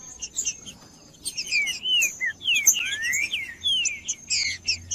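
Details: Green-winged saltator song, used to warm up and stimulate saltators kept by breeders for singing tournaments: a series of clear, slurred whistled phrases, some rising and some falling, over a background of high chirps from other birds.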